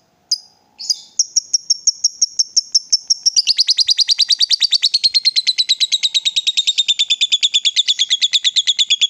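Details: Lovebird provoked into calling and excited, giving a long ngekek: two sharp high chirps, then a run of evenly spaced notes that speeds into a fast, continuous high chatter lasting about eight seconds.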